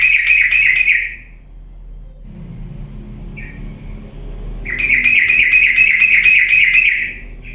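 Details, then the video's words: Lure song of a yellow-vented bulbul for prompting reluctant birds to sing: a rapid buzzy trill, a pause with low rumble and a brief note, then a second long chattering trill. "pancingan trucuk yang malas jadi ikut bunyi gacor galak"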